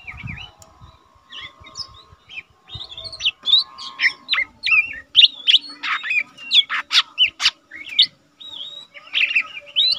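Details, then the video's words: Young lesser green leafbird, a cage bird whose singing serves as tutor material, starting with soft scattered notes, then building into a lively run of bright whistles and sharp chirps before a brief pause and a final phrase. "cucak ijo mini bahan udah rajin bunyi cocok untuk masteran burung cucak ijo mini"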